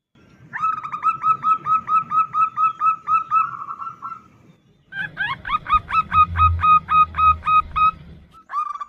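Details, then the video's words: Female zebra dove calling for a male: two long bursts of rapid, repeated ringing notes, each around four seconds, with a low murmur beneath the second burst. "Suara perkutut betina memanggil jantan"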